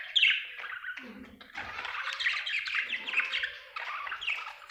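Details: Budgie chirping, an Australian bird: a sharp opening chirp, then steady buzzy warbling chatter with squeaky notes throughout.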